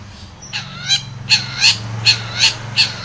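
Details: Long-tailed shrike singing as a lure to get a silent shrike to respond: a steady series of harsh, rasping notes about three per second over a low background hum.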